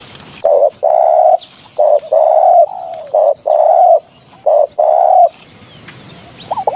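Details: Spotted dove recording used as a hunting lure: low hoarse cooing phrases, each several short and longer coos run together, repeated through the clip with brief gaps; a faint high whine near the end.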